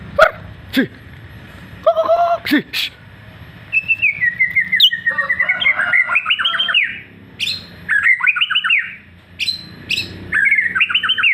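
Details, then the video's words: White-rumped shama, F3 bird, singing actively, Lampung, Indonesia: varied whistled phrases with rapid repeated rising-falling notes, bursts of several seconds separated by brief pauses, a few lower slurred whistles early on. "BURUNG MURAI BATU SERI F3 GACOR"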